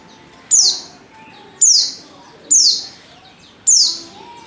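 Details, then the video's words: White-eye female in breeding condition calling to a male, giving four loud high chirps about a second apart, each starting sharp and sliding steeply down, over a quiet hum. "Pleci | betina | Birahi Memanggil jantan"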